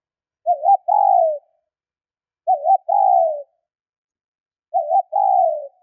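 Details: Female spotted dove's soft low coo, used to stimulate males: a quick wavering note then a longer falling one, repeated about every two seconds; nothing else heard.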